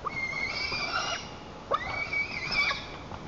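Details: Nestling white-tailed eagle in Lower Kama National Park, Tatarstan, 21 July 2023, raging at its mother perched nearby: two long, level, shrill harmonic screams separated by a brief sharp downward note, with a few short squeaks between.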